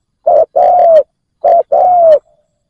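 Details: A decoy spotted dove coos to lure wild doves. Two phrases, each a brief coo followed by a sustained coo that slides gently downward at its close.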